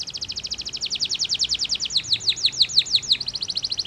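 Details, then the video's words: Canary singing powerfully to stir rival singers: a long rapid rattling trill of high notes that slows into louder, separate downward-swept whistles near the end. "POWERFUL, CANARY SINGING STIMULATES THE SOUNDS OF OPPONENTS"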